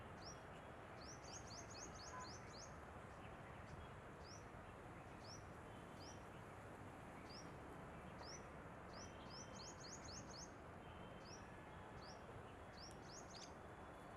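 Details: Asian green bee-eater, filmed 19 January 2023, giving thin, high chirps, some single and some in quick trilled runs of five or six, over a steady low rumble of background noise.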